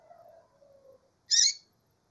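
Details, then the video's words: A female double-collared seedeater calls once with a brief, buzzy, high-pitched chirp. Quieter low wavering whistles come first. "femia de coleiro chamando"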